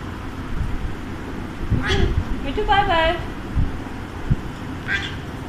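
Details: Talking pet Alexandrine parakeet gives one clear, rising-then-falling harmonic utterance near the middle, with a short sharp note before it and another after, over low rumbling background noise.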